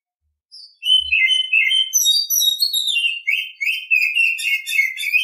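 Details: Oriental magpie-robin singing in the morning: a rich, continuous run of clear whistled and chirpy notes, varied and quickly changing, shifting between lower warbles and very high thin phrases, with no pauses.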